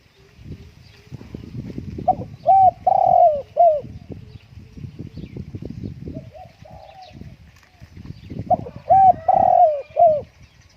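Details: Spotted dove kept at home because strong wind kept it indoors. Two bouts of mellow, resonant coos, a short note followed by a longer falling one, separated by several seconds of gusty wind rumble.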